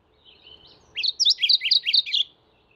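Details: A mourning warbler's song: faint thin whistled notes, then a loud quick string of about eight rich chirping notes rising and falling, lasting just over a second.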